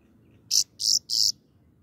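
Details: Three loud, harsh, buzzy high notes from a grey-crowned goldfinch, evenly spaced and each lasting about a fifth of a second.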